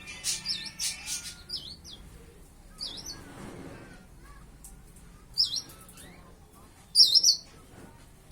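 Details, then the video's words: Young white-eye (pleci), about five months old, just beginning to learn its song: short high sweeping chirps in scattered bursts, with quiet gaps and faint low background noise. "burung pleci burung kaca mata"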